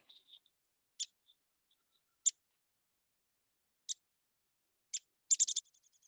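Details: Downy Woodpecker giving sharp, high single pik notes every second or so, ending in a brief, rapid descending chatter; crows call in the background.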